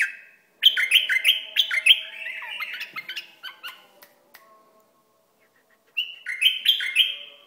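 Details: Iraqi bulbul song: loud, rich, slightly harsh notes in a quick tumbling series, then a short silence before another rapid burst of ringing phrases.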